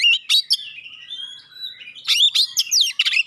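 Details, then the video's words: Clear-voiced song of an Oriental magpie-robin with sharp shot-like notes, played to make rival magpie-robins respond immediately; a few loud crackling bursts, then a long thin steady whistle, followed by a busy series of ringing, falling and rising notes. "suara tembakan tajam juga suara jernih bikin kacer lain langsung respon ngobra"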